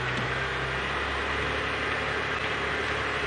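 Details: Constant broadband engine drone from an idling safari vehicle at 6 AM, without any audible animal.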